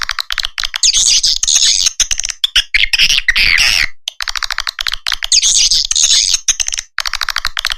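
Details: Swiftlet lure call for nest houses, SP Naga Merah: rapid rattling chirps with buzzy high twitters, broken by a noisy rasping burst in the middle before the chirping pattern repeats.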